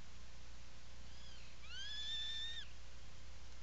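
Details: From a nesting burrow on Seal Island National Wildlife Refuge in Maine, burrow camera, 17 July 2018, afternoon: Atlantic puffin gives a faint rising note, then a louder, level, meow-like wail of about one second that ends in a slight drop, over a constant low hum.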